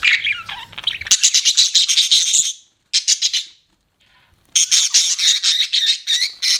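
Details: Budgies giving fast, evenly pulsed buzzy chirps in rapid trains, with two near-silent breaks and softer warbling at the start.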